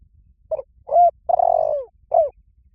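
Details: Spotted dove call played to attract wild doves: a short low opener, a smooth coo, a long purring coo falling gradually, and a closing descending coo, with nothing else audible.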